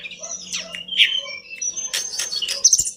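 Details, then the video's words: Pied bush chat singing lively, used as a master song for training pet birds: high whistled notes and harsh, buzzy chirps mixed with broad rasping bursts, and a faint steady low hum underneath. "Kicauan mewah TLEDEKAN GUNUNG gacor dor"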